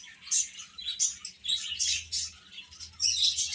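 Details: Chicks chirp in loud clusters of shrill peeps separated by short quieter gaps, with a faint low hum underneath.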